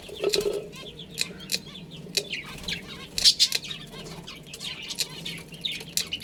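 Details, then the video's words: Pet budgerigar colony including a breeding pair: busy, irregular chattering and chirping from several birds, with a brief low rasping note at first and sharp squeaks later. "Adorable Budgies Chirping Sounds"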